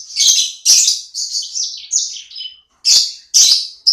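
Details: Owner's small sanger bird singing actively (gacor). Loud, bright bursts of high chirps alternate with slurred descending notes, about two phrases a second, with a brief pause before the final emphatic calls.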